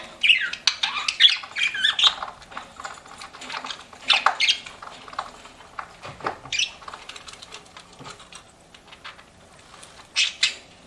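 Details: Pet budgerigars producing bursts of scratchy chirps and squeaks, louder at the start and near the end, with softer chatter and pauses between.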